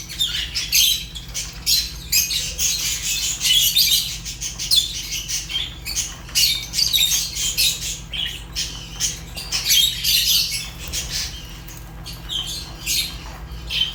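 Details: Shrill chattering chirps of Fischer's lovebird, dense rapid clicks and squeaks in repeated bursts separated by short pauses, over a constant low electrical hum.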